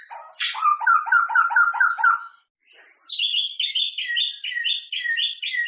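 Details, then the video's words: White-rumped shama song, used to spur other shamas to sing before a singing contest: a run of rapid, repeated whistled notes, then a brief pause, then a higher series of looping, rolling whistled phrases repeated about twice a second. "suara burung muray cocok buat adu vokal burung muray teman2 Sebelum tanding"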